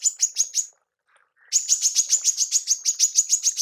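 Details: Tembakan of a female manggar, used in training songbirds: a short volley of piercing high notes, a brief gap, then a second fast run of clipped, evenly repeated chips.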